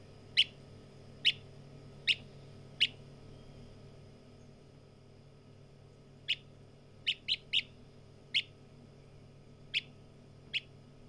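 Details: Partridge chick calling with sharp, high single peeps, four spaced evenly near the start, then a gap of silence, then more peeps in uneven clusters against a low hum.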